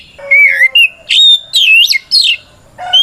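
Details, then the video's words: Shama fighting song used as a lure to make other white-rumped shamas answer: a wavering whistle, a held flat note, then rising and swooping whistled phrases with a low steady tone underneath. "Suara Burung kacer gacor NGEPLONG tarung ini paling ampuh buat PANCINGAN KACER agar EMOSI Nyaut"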